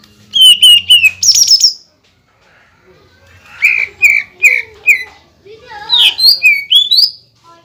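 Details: Greater green leafbird singing rapid bursts of repeated clear whistles, used to agitate rival leafbirds. A high trilled phrase is followed by a pause, then a series of four slurred notes and a final run of rising whistles.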